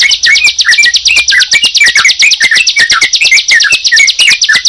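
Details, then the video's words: Sunda pied chat and yellow-vented bulbul heard together, quick slurred chirps and downward whistles tumbling over a continuous buzzy high trill. "Suara Ciblek Dan Trucukan Jika Dipertemukan"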